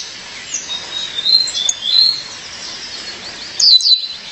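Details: Violaceous euphonia, a female calling her partner: soft thin wavering whistles, then a brief burst of sharp high down-slurred notes.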